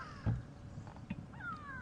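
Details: Grey go-away-birds alarm calling on an afternoon game drive in Africa, perhaps at a bird of prey overhead: nasal, drawn-out downslurred calls with a harsh burst near the start over low rumble; oxpeckers near a giraffe react too.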